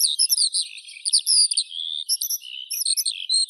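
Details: A skylark pours out a fast, varied warble of twittering notes, some drawn out into short slurred whistles, continuing without pause throughout.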